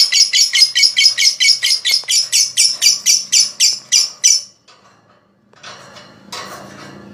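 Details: Lovebird 'ngekek' chattering, a therapy sound to spur opponent lovebirds into singing; about four seconds of fast, evenly spaced, shrill rasping notes, then it stops, leaving low murmuring and a brief faint rustle.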